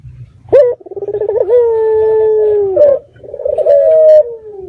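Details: Red-eyed dove lure call to draw answers from other doves: a sharp start, rapid rolling pulses, a long level hollow coo, and then a second shorter rolled phrase.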